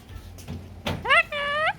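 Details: Pet cockatoo talking and dancing: after a soft knock, two short harmonic speech-like utterances, the first rising sharply, the second long and level, with faint background noise.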